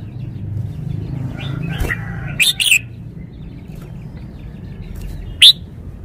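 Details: Caged red-whiskered bulbul showing its song style with clear, emphasised notes: a brief burst of bright whistled notes, then a single sharp high note some three seconds later. Low background rumble throughout.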